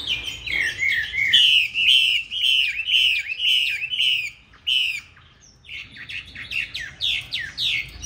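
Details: Green-bean-eye Chinese hwamei singing a competition song meant for training other hwamei to sing smoothly: a long series of clear, looping whistled notes, a brief pause, then a run of sharp, descending slurred notes.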